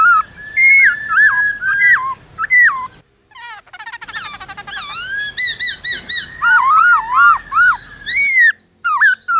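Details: Black-throated laughingthrush singing in the forest style ('giọng rừng'), played to train captive birds to sing: loud, clear whistled phrases that rise and fall near a steady pitch, a brief pause, then a burst of rapid stacked notes and more looping whistles.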